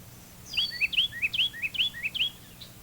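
Carolina wren singing a loud, ringing series of rapid whistled phrases, repeated about every half second, a rolling tea-kettle pattern over a quiet background.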